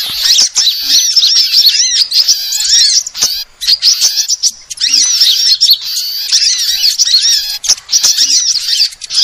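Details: Many sunbirds twittering together, used for luring: bright, shrill chirps and quick rising and falling notes in dense bursts, separated by brief pauses and sharp crackles.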